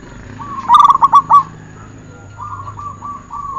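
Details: Perkutut (zebra dove) training recording: a burst of quick, stuttering coos, then a softer, fainter run of similar notes later on.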